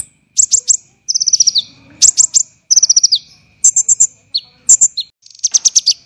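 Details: Training song of an olive-backed sunbird, dense and coarse: high rapid trills, some dropping in pitch, alternating with clusters of sharp chirps and a final buzzy burst, with brief silences between phrases.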